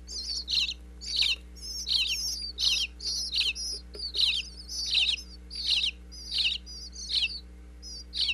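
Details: Nestling bluebirds chirping inside their birdhouse in Pennsylvania each time a parent visits with food, recorded with a wireless in-box microphone: regular bursts of high twittering chirps, about one and a half per second, over a low hum.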